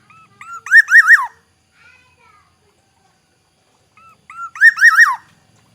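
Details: Black-naped oriole from Aceh repeating its fluty phrase twice, about four seconds apart. Short introductory whistles lead into loud rolling, slurred looping notes; brief faint sounds occur between the phrases.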